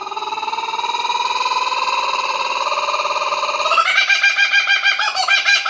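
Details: Lone kookaburra perched in a tree by Tuggerah Lakes, Australia; a long rising chuckling laugh, rapid pulsed notes climbing steadily, then breaking into louder raucous cackling bursts.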